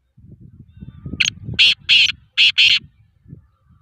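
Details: Black francolin (kala tetar) in training gives a full call phrase of five harsh, scratchy notes, the final two paired, following a low murmuring background noise that fades under the call.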